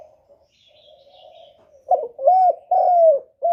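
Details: Spotted dove used as a lure bird for trapping wild doves: faint low coo first, then a loud series of hollow coos, a short note, a rising-leveled coo and a long slightly falling coo, in a quiet setting.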